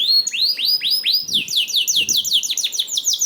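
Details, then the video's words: Canary singing as a lure for other canaries: slow, swooping high notes that speed up into a rapid, tightly repeated trill. "PANCINGAN KENARI 1 MENIT MENDENGARKAN SUARA KENARI DIJAMIN KENARI IKUT BUNYI"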